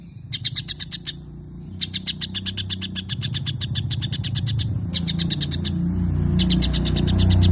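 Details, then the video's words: White-rumped shama singing a long run of imitated sparrow phrases: rapid bursts of sharp, bright chirps repeated about three per second in several series, over a low, steadily rising rumble of background noise. "Cungko isian gereja panjang"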